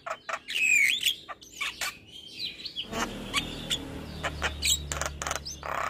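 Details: Javan myna male in morning song: a clear descending whistle and scattered sharp clicks, followed by softer, busier chattering over a low background hum.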